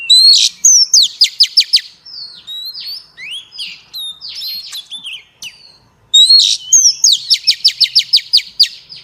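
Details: Female Oriental magpie-robin calling to stimulate males: loud phrases of rapid repeated chip notes with bright whistled slurs between them, the strong opening phrase returning after about six seconds.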